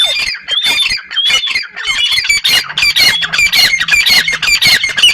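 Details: Partridge producing dense, harsh squawking calls in quick irregular succession, loud and rasping, with a faint low hum underneath.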